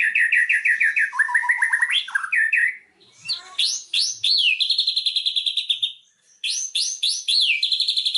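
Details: White-rumped shama song played as a lure to set a silent bird singing: loud, clear whistled phrases, with rapid trills and repeated rising and falling notes, broken by short pauses and a soft buzzy passage.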